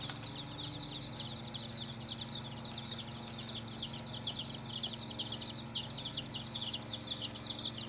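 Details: Hen's chicks peeping nonstop, a steady wall of bright, high, descending chirps from many birds at once, even in loudness throughout, over a quiet low hum.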